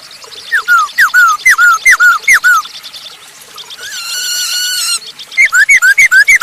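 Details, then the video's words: Masked laughingthrush singing to lure other birds into song; quick falling whistles repeated in a bouncy series, a buzzy harsh churr in the middle, then another run of slurred whistles. "Burung poksay hongkong gacor untuk pancingan !!!"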